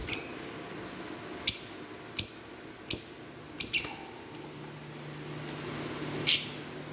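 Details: Green Fischer's lovebirds giving sharp, high chirps, some doubled, in a quick irregular series of about seven notes, then a pause before a final chirp, over a quiet low hum.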